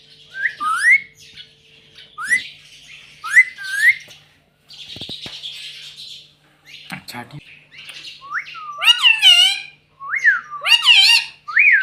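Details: Captive talking ring-necked parakeet giving rising squeaks and hoarse, hissing chatter, then louder shrill, wavering squawks near the end, with soft knocks and a faint hum.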